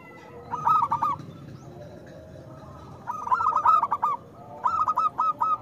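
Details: Loud song of a local zebra dove, used to coax reluctant doves into singing: three bursts of rapid, rhythmic cooing notes, the last a steady row of evenly spaced coos, over a quiet low rumble.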